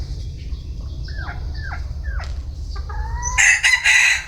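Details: Bantam chicken crowing. A few short, falling chirps lead into a loud, raspy crow in the final second, with a brief break partway through. A low hum runs underneath throughout.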